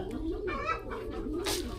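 A pigeon gives low, soft rolling coos that swell and fade in quick succession.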